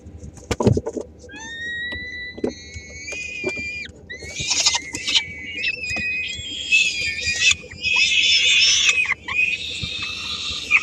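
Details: Peregrine falcon nest in Helmond, Netherlands, 13 May 2016, with three-week-old chicks as the female arrives with a small morsel that siblings snatch; a few thin whistled tones give way to harsh, rasping begging screeches in dense bursts.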